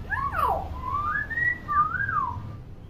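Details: Common hill myna, a chatty bird kept for teaching young mynas that do not yet call; clear whistled notes sliding up and down, a falling swoop followed by long wavering whistles with gentle rises and dips.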